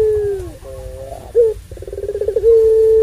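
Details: Puter pelung dove singing its long song, used as a lure to rouse other doves: a falling coo, wavering notes, a short burst, a pulsed rolling trill and a final sustained coo.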